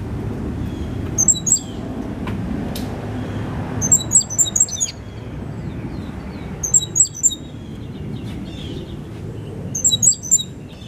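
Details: Cuban grassquit, five months old from a 2022 brood, singing its loud, clear silva australiano song with a particular trill learned from a tutor bird. Short bursts of rapid, very high, glittering notes repeat about every three seconds over a steady low hum.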